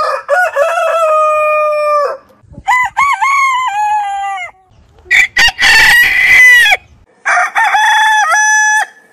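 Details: Crows from roosters of heritage chicken breeds: a long steady crow, a stepped wavering one, a harsh noisy burst, and a final level crow, each separated by short silences.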